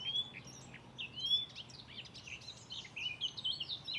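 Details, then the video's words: A mimicking Blyth's reed warbler sings at Far Ings Nature Reserve in the UK on 11 June 2020. Its song is a dense chatter of high slurred whistles and chirps, rising and falling quickly, with a faint low hum beneath. "The amazing BLYTH'S REED WARBLER singing in the UK"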